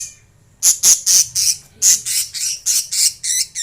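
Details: Lovebirds singing and chirping: a steady series of loud, sharp, high shrill chirps, about three per second, harsh and piercing, with a brief quiet start.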